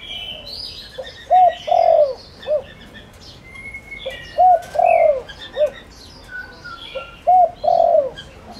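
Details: Spotted dove calling as a lure for wild doves repeats its phrase three times about every three seconds: clipped rising note, long sliding coo, short end note. Faint chirps of other birds are heard throughout.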